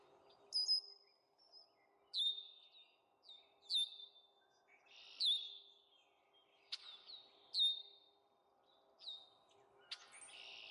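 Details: Baby Canada geese (goslings) giving high, thin whistled peeps, each sliding down sharply, repeated every second or two over a quiet low background hum.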